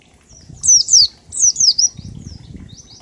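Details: Oriental white-eye giving ngalas song as a lure to get other birds singing: a run of high, quick, down-slurred twittering notes in two phrases, with low fluttering or rustling noise underneath.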